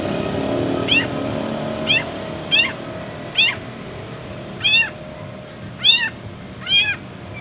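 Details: Long-tailed shrike, a training recording for caged birds set with many pauses: seven short, harsh, arched notes spaced roughly one second apart, growing louder toward the end, over faint background hum.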